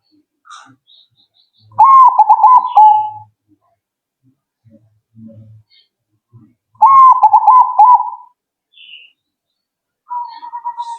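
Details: Zebra dove replying quickly: two loud rolling coo phrases about five seconds apart, with faint low knocks and soft chirps between, and a softer trill beginning at the end.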